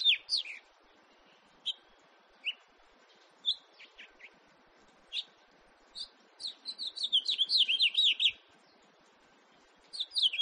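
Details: Scattered single chirps from a house finch, 2018, spaced over several seconds, then a brief rapid twittering burst near the end, over a faint low background hiss.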